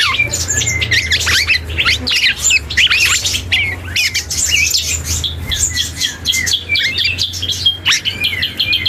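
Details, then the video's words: Black-and-yellow oriole, a young bird practising its song, gives a long unbroken stream of harsh chatters, clicks and brief upslurred whistles, tumbling quickly over one another with no fixed phrase, over a soft low hum. "KEPODANG HUTANG muda||belajar ngoceh"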